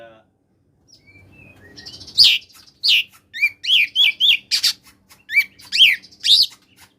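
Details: Song of a koslet oriental magpie-robin used to coax lazy magpie-robins into singing: soft thin notes, then a lively run of a dozen loud, sharply slurred chirps and whistles.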